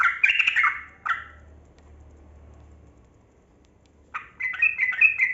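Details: Yellow-vented bulbul of the kebo type, lure song for silent birds: a dense harsh chattering burst, a lone note, three seconds of quiet with low background hum, then a rising bubbling phrase.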